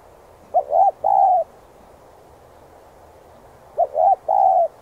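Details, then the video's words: Spotted dove singing to train decoy birds, two clear phrases of a brief note, an arched coo and a drawn-out steady coo, separated by a few seconds of near silence. "Cu gáy THÚC giọng sát bổi kích mồi tập bổi rất hiệu quả/chim cu đất gáy kích bổi,mồi nhanh gáy"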